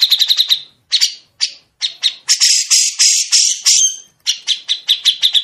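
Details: Grey-cheeked bulbul song with long, sharp, clear 'besetan', made for songbirds to imitate: fast rattling note series open and close the clip, with separate louder high chirps and broader harsh notes between them.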